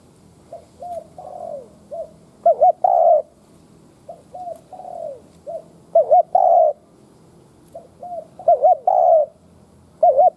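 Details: Lure spotted dove cooing to incite wild doves: soft falling coos build into loud bursts of a wavering double note plus a long coo, the sequence repeating about every three seconds.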